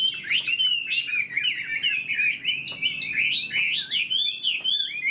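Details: Fan-tailed Chinese hwamei kept in a cage, described as a strong fighter, pouring out an unbroken stream of varied whistles, rapid slurs and quick trills. The phrases tumble over one another without a pause.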